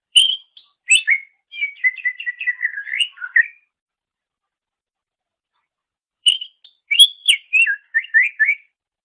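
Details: Greater green leafbird singing on a master recording for training songbirds: two bursts of quick chips and descending whistles, separated by a pause of about three seconds.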